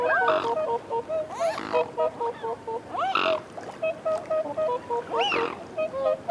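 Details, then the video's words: Close whooper swans feeding on a bank exchange soft reassurance calls: regular short bugling honks in runs, broken by louder rising and falling trumpet notes from more than one bird. "Whooper Swan. Calls CU & Reassurance Calls While Feeding On Bank"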